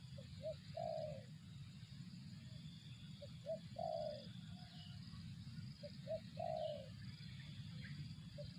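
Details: Spotted dove (tekukur), 'target zong' style: three cooing phrases about every 2.7 seconds, each two or three short soft notes leading into a longer, burry, slightly falling coo; constant low rumble underneath.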